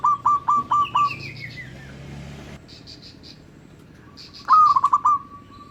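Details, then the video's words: Local zebra dove, its sweet song used as a lure for other zebra doves: a rapid run of stuttering, bubbling coos ending in a held tone, given twice. A descending series of thinner notes from another bird comes between. "Suara Merdu burung Perkutut LOKAL Sangat COCOK Buat PEMIKAT Semua jenis Perkutut."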